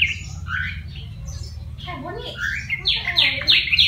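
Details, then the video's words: Wild-caught yellow-vented bulbul, trapped and tamed, kept caged for one month and now singing: bubbly, gurgling phrases that end in a run of quick repeated bright notes, with low background hum. "Contoh Burung Trucukan (Jogjog) Liar Yang Dirawat 1bulan Udah Bersuara"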